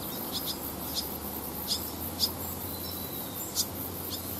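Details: Barn swallows, a family with young fledglings gathered on roadside power lines beside rice fields during flight training in August 2020. Sharp, high, clipped chirps come singly, about one every half second to a second, over a faint hum.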